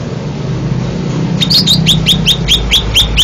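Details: First-place Greater Green Leafbird from Banten, Indonesia: an opening of low rumbling noise, then loud clipped rising whistles repeated about four times a second, each a quick upward flick.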